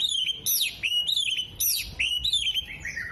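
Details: Oriental magpie-robin in full song, tail opened, using copied 'kolibri', 'jenggot' and lovebird notes; loud high whistles that swoop down in repeated falling slurs about once a second.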